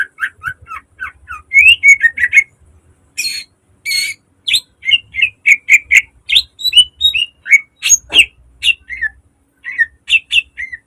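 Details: Green leafbird song played as a model for training caged birds: fast varied phrases mixing clear downslurred whistles, crisp chirps and harsh rasping bursts, densely packed with short gaps, faint low rumble underneath.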